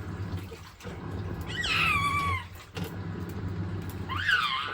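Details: Pet white-bellied caique indoors, excited by a running washing machine and busy checking the water, giving loud harsh rising-falling screeches with harmonics, two bursts over machine hum.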